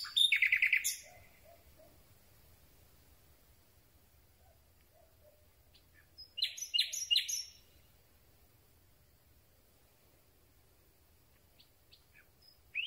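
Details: Common Nightingale at night, close-miked: a short burst of quick, high repeated notes, a long quiet pause, then a dense phrase of sharp, chattering notes and another silence before a final note.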